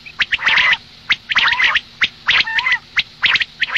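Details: Female common quail calling for the morning: gargling, nasal bursts, each introduced by a sharp click, repeated about once a second.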